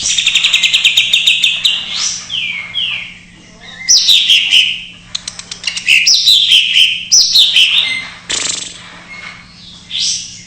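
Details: Isian song of a greater green leafbird in jamtrok style, offered as a trigger for birds that will not sing. Clear whistled notes slide steeply downward, mixed with sharp ticking bursts, in phrases separated by short pauses. A steady low hum runs underneath.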